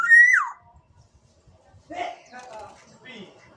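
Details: Black-naped oriole from Sumbawa with one loud, clear whistle that slurs downward at the start, followed by quieter voices and room noise.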